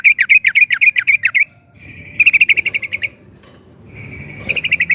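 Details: Trucukan (sooty-headed bulbul) used to get other bulbuls singing. A fast trill of sharp chirps, then a shorter, tighter burst after a pause, and a final run starting near the end.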